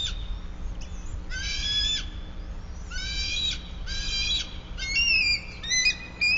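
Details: Bald eagle at its nest atop a sycamore about 100 feet up in Bluff City, Tennessee, recorded by a live nest camera on 22 March 2024 at 08:19: several harsh, harmonic squealing calls in bursts about a second long over a steady low hum.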